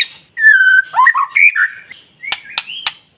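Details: Stimulation song of a white-rumped shama meant to make other shamas sing: a clear sliding whistle, a burst of quick varied notes, then three sharp clicks over a rising soft whistle.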